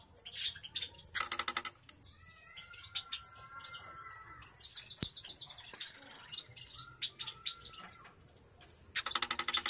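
Cockatiels give thin, drawn-out whistles amid bursts of fluttering wings.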